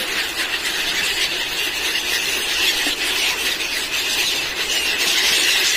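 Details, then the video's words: Seagulls crowd the beach at Somnath, Gujarat, as pilgrims throw them junk food; a steady chorus of high, harsh screams overlaps unbroken, swelling slightly toward the end. "Screaming Seagull Birds"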